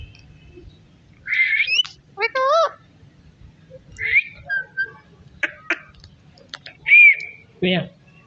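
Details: Parrot eating melon seeds, giving a string of short whistled and harmonic chatter notes, some rising, with speech-like squawks and clicks, and a low rumble underneath.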